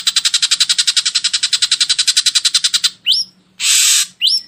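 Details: Ashy drongo lure recording for getting birds to sing: a fast chattering run of about two dozen even notes over three seconds, then sharp rising whistles and a harsh buzzy burst.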